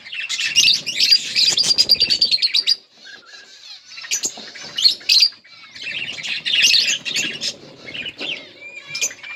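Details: A yellow budgie pair giving bursts of scratchy chattering and squawky chirps separated by quieter gaps with clicks and faint rustling.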